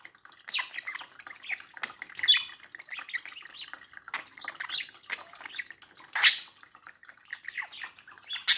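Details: Chattering pet budgerigars, a pair beside a mirror, with soft rambling warbles and clicks, a few loud sharp calls standing out near two, six and eight seconds.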